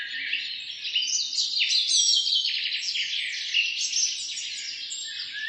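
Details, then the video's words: Many wild birds singing at once on a forest road in the morning, a dense tangle of bright chirps, quick descending trills and whistled notes overlapping without a break. "begin your day with the positive energy birds singing"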